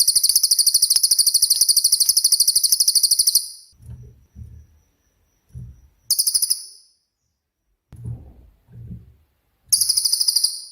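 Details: Cililin used as master song for songbirds such as magpie robins; a long rapid high-pitched rattle of evenly spaced pulses lasting over three seconds, then two shorter rattles with soft low thuds between.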